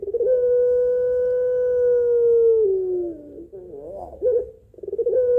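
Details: Barbary dove (puter pelung) calling males in the long-drawn, rhythmic pelung style: a steady, drawn-out coo held for nearly three seconds that then slides down, followed by short wavering coos and a fresh steady note.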